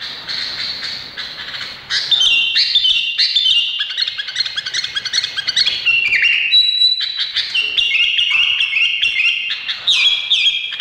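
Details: Busy, high warbling from an Indonesian bulbul: overlapping quick notes and short held whistles, continuous after a quieter opening two seconds.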